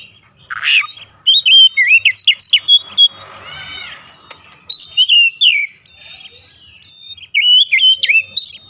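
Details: Oriental magpie-robin singing as a lure to stir other males: rapid run of sharp chips and bright whistled slurs, a short buzzy rattle midway, then renewed bursts of varied loud whistles and clicks.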